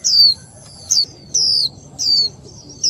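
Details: Female warbling white-eye, a Vietnamese cage bird, calling to stimulate the male to sing: thin, high whistled notes sliding downward, each about a third of a second, repeated roughly every 0.6 seconds over a low background hum.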